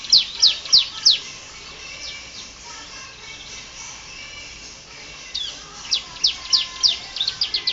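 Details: Canary in full song, intended as tutor recording for training other birds: sharp, rapidly repeated downward chirps at a fast pace, a quieter warbled passage in between, then another run of bright chirped notes.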